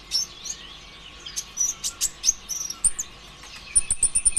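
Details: Konin ijoan singing a lure song to trigger singing in other birds; high sharp chips and quick whistled slurs, ending in a rapid series of thin repeated notes, with a few soft clicks.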